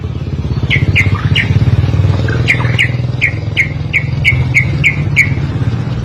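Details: White-rumped shama singing as a tutor recording: a series of short, sharp, down-slurred whistles repeated rapidly, heard over a loud, steady engine rumble.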